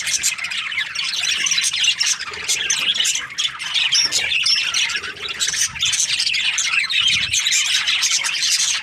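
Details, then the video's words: Budgerigars during breeding season, a flock chirping together: dense, continuous warbling chatter with harsh squawks and short whistled notes overlapping throughout, no pauses. "Lovely budgies chirping sound parakeets breeding season"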